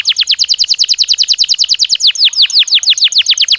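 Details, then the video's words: Belgian canary in natural song, delivering rapid, evenly repeated descending whistled syllables that shift after two seconds into slower, fuller downward slurs. "Som de 1 Hora com Canario Belga Cantando Naturalmente"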